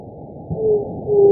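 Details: White-tipped dove singing: two low, soft hooting notes, each held briefly at a steady pitch, the second following about half a second after the first, over a quiet, muffled background.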